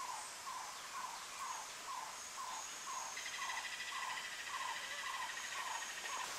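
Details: A Cuban tody at Soplillar, Cuba, in July 2017 repeats a short, soft, slightly slurred note about twice a second, set against a constant high hiss of insects.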